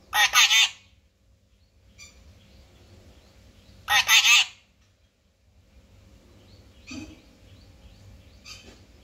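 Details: Parrot, named locally as mithu, giving two loud, raspy, multi-part screeches about four seconds apart, then softer short chirps. Low background hum is present.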